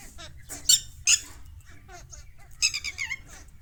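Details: Mynas fighting among themselves, giving sharp grating screeches and short squeaky notes in quick irregular bursts. A loud pair of harsh cries comes early, followed by a chattering cluster near the end.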